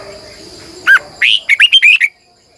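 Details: Captive decoy Red-whiskered bulbul singing in the morning. A short chip comes first, then a lively phrase of about six slurred, whistled notes, each rising and dipping.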